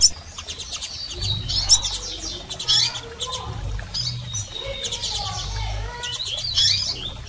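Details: Calls of female and male double-collared seedeaters meant to stimulate a male: clustered high chirps and short rattles, some with lower whistled notes, over a steady low hum.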